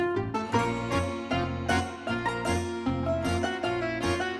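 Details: Plucked string music plays in a steady rhythm, with a bright melody and low notes on each beat.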